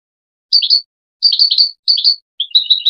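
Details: Song of a goldfinch for tutoring hybrid chicks, heard as a few clear, high, slurred twitters in quick phrases, ending with a fast run of liquid notes.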